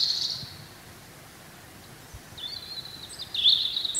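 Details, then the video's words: Spring song of a wild European robin: one high, thin note at the start, a long pause, then a trickling phrase of sustained high whistles and a quick twiddle, with faint hiss behind. "chants , cris du rouge gorge HD/songs , calls european robin HD"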